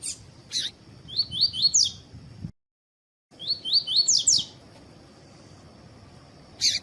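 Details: Double-collared seedeater giving its tui-tui song to warm up other birds: two matching phrases of rapid rising whistled notes, each ending in a brighter flourish, separated by a brief gap, with sharp clicks at the start and end.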